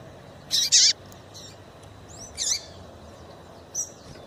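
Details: Female Double-collared seedeater call to heat up males: a rapid doubled high chirp with a falling tail, then a brief, curling upswept note group, and a faint final chirp.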